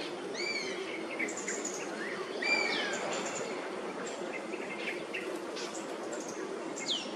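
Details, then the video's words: Oriental honey buzzard perched at its roosting place in Singapore, protesting while Oriental pied hornbills intrude. Thin downslurred whistles sound several times, some overlapping, with a second buzzard calling more faintly and constant background noise. "Bird Call: ORIENTAL HONEY BUZZARD"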